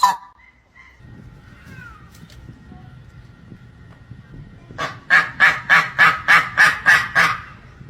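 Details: Steller's Sea Eagle calling: a regular series of about nine loud, harsh barking notes, roughly three per second, following a few seconds of faint, quieter sounds.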